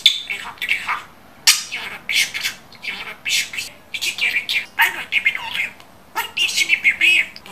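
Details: Pet budgerigar described as an excellent talker, speaking Turkish phrases; rapid bursts of raspy, chattering mimicked speech with squeaky warbles, delivered in short phrases separated by brief pauses.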